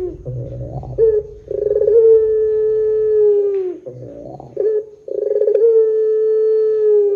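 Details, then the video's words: Barbary dove in the long 'pelung' calling style, played as a lure to make other doves call; two coos, each a low grunt, a rapid throbbing burst, then a long smooth held hoot that fades slightly lower. "SUARA PUTER PELUNG PANJANG JOSS . PANCINGAN SUARA PUTER GACOR DORRR JERNIH"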